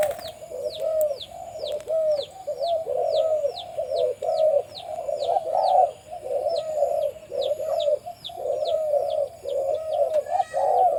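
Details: Breeding male spotted dove with a deep voice on a farm, cooing in repeated low hollow phrases throughout, while many small birds chirp high, sharp downslurred notes steadily in the background.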